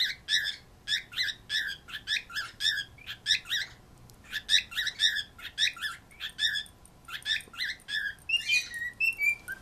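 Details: Pet birds chattering at the household dog; short bursts of sharp chirps repeat about every half second in rapid clusters, then higher squeaky notes appear near the end, against a quiet indoor background.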